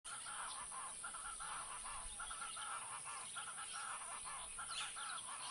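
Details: Wattled jacana (Jacana jacana), call.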